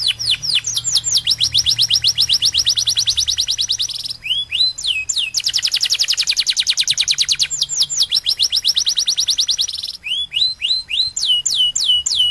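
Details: Canary in full song, a kenari dor: long rolling trills of rapid high notes broken by runs of clear whistles that swoop downward, the pattern repeating several times with barely a pause.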